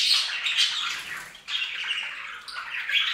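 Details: Bathing pet budgies produce a steady stream of grating, buzzy warbles and squawks, one phrase fading out before another starts halfway through.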